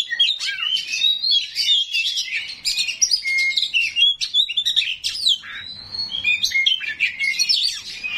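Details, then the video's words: Lengthy 'isian kasar' coarse fill-in from a 'kacer rawit' oriental magpie-robin, sung to make other magpie-robins answer; crisp chips, clear level whistles and swooping slurs in quick varied phrases with brief breaks. "KACER RAWIT BONGKAR ISIAN KASAR, BIKIN KACER LAIN PASTI NYAUT"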